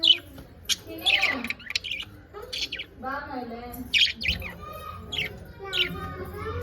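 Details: Pet budgerigars chattering: bursts of sharp high chirps mixed with soft warbling, babbling notes, with low background rumble.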